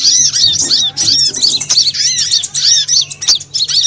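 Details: High twittering sunbirds (burung madu, konin, kowul, korlap, sogon) from a lure recording for attracting birds: busy strings of thin, looping chirps in quick phrases, pulsing on and off, with occasional clicks and a faint low drone.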